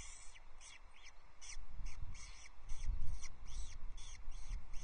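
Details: Osprey at its Loch Arkaig nest, 23 May 2024, while the mother brings a wandering chick back: clear arched, piping whistled calls repeated about twice a second, with low wind buffeting beneath.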